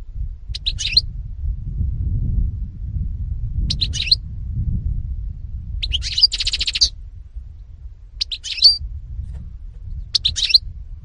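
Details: European goldfinch uttering short, spaced twittering phrases, one with a denser buzzy trill, roughly every two seconds over a steady low rumble.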